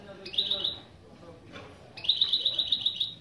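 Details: Goldfinch-canary hybrid (mule) giving opening song phrases: two bursts of rapid repeated high notes, each about half to one second long, with faint background noise between.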